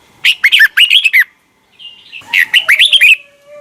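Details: Two quick phrases of slurred, bouncing whistles from a red-whiskered bulbul, a morning double-note wild-style song meant to train bulbuls, separated by a brief pause and a soft short note.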